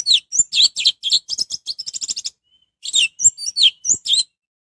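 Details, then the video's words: Orange-headed thrush in energetic song used to trigger other birds into singing: a fast, varied stream of high chirps and whistled slurs, briefly pausing before another rapid twittering phrase. "suara anis merah untuk pancingan"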